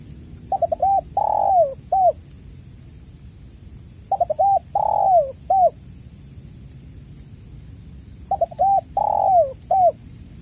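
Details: Lure recording of a spotted dove for caged birds reluctant to call: three repeated coo phrases roughly four seconds apart, quick stuttering notes leading into a long sliding-down coo and a short end coo, steady thin whine behind.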